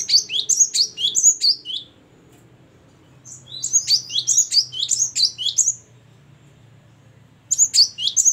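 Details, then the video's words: Great tit (gelatik batu) singing loudly and persistently, described as ngeplong and gacor: bright, high, paired whistled notes that drop from high to low, given in fast bursts with a pause of about two seconds between them, over a faint low hum. "Ini baru ngeplong dan gacor burung gelatik batu"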